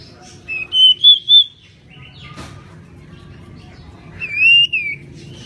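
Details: Lively decu, the pied bushchat, whistles a short phrase of three clear notes, then after a pause a longer rising and falling whistle, over faint low background noise.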